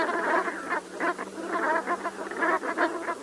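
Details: Rapid overlapping croaking honks from brant geese, a thick burbling chorus rising and falling in short waves.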